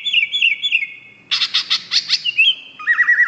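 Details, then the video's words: Greater green leafbird repeating a whistled falling phrase three times, then a burst of harsh buzzy notes, followed by more warbled whistles. "Kicau Cucak Hijau Gacor ..... Sampai Teler"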